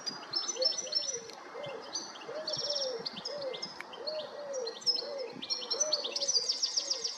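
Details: European goldfinch giving bright, tinkling twitters and quick high chirps in rapid bursts, over a steady run of soft, low, rounded notes in the background.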